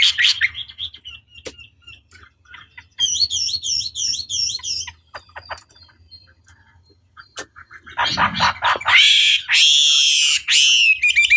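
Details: A Chinese hwamei sings loud, varied whistled phrases, a run of repeated rising-falling slurred notes, then rich, bright, full-throated bursts near the end; the long recording is used to provoke rival hwameis into answering emotionally.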